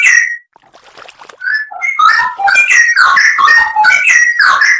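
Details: Straw-headed bulbul (cucak rowo) song made as a training recording for songbirds, full of filler phrases with sharp 'nembak' notes: one short whistle, a near-silent pause, then a dense stream of loud, rich, gurgling whistled notes.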